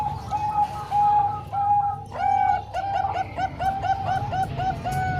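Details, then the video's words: Combined song of three Bangkok zebra doves and one local bird, used to train young birds: overlapping mellow coos in quick bursts, with a background hum. "Kombinasi 3 Suara Perkutut Bangkok Dan 1 Lokal|Untuk Melatih Perkutut Bahan"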